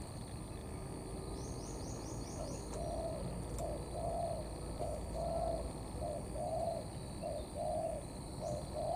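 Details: Mixed 'thổ' and 'cấn' coo style from a wild-caught spotted dove: repeated deep, soft hooting notes, short then longer, about one per second, with a brief burst of high chirps from another bird early on and constant hiss.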